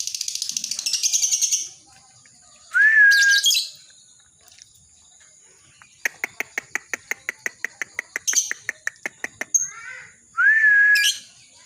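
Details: Lovebird ngekek chatter, used as a master and lure sound for other lovebirds: a rapid buzzy trill, two rising whistled notes, then a long run of sharp clicking chirps roughly seven per second, ending with another whistle.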